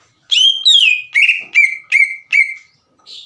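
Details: Green leafbird singing as a lure to draw untrained birds into song: two long, sliding whistles followed by four clear notes that drop in pitch, evenly spaced, then a soft breathy note.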